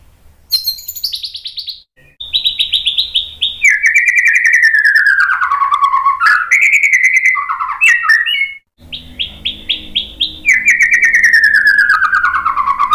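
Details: Lure song of a white-rumped shama meant to excite listening birds into replying, with long, smooth, theremin-like whistles sliding slowly downward, broken by brief pauses and rapid high chips.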